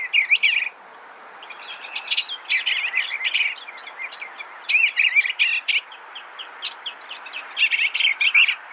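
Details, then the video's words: Eastern Bluebird delivering an almost continuous stream of soft warbles and chips, the phrases run together with falling slurred notes and only brief pauses. "Eastern Bluebird Bird Sound, Bird Song, Bird Call, Bird Calling Chirps"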